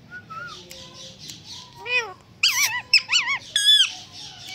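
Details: Pet Indian green ringneck parakeet indoors, a talking bird said to mimic words and a cat's meow; squeaky, wavering high calls with bent, rising sweeps come in short bursts, several quick warbled notes near the end, faint room hum beneath.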